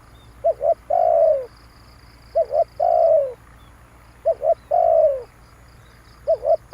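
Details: Spotted dove used to lure birds, repeating a paired quick hoot and a longer sliding coo that drops in pitch, with short pauses between phrases. Faint high ticking pulses are heard in the background.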